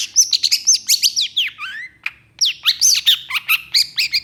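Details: Excited Long-tailed shrike delivering a fast medley of sharp high whistles and scratchy notes. After a brief pause near the middle, rapid chattering phrases resume, mixing several different note shapes.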